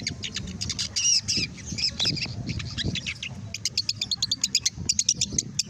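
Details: Captive long-tailed shrike, said to be a male, with a full tail and black on the neck, sings a fast, high, scratchy chatter of varied notes, then a rapid run of short repeated chips, over a low background rumble.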